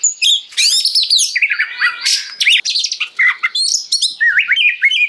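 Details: Oriental magpie-robin (kacer) in lively 'gacor ngeplong' song, meant to make other magpie-robins answer and sing and to tutor home birds; rapid varied whistles, sweeping slurred notes and harsh trills, densely packed with almost no pauses.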